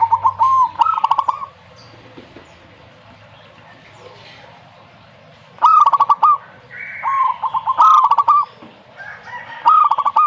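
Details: A zebra dove sings several pulsed, trilling coo phrases, some closely paired, with a brief higher tonal sound between them and low background rumble.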